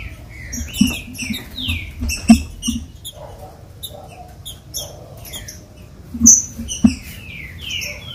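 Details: ['Song of a captive green-winged saltator, used to warm up other caged birds. Strong whistled slurs and short chirps repeat throughout, with steady rattling, clicking background noise and a few louder knocks.']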